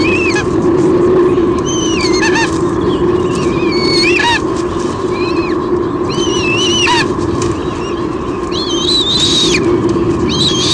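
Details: White-bellied sea eagles at a nest in Sydney Olympic Park, Australia, 23 June 2016; the female squeals as the male brings a fish. Repeated high wavering squeals in loose bursts over constant loud hum and rushing background noise.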